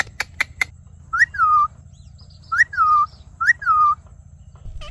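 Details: Talking ring-necked parakeet opens with three sharp clicks, then whistles a clear phrase three times, each a quick rising note followed by a longer falling, held tone.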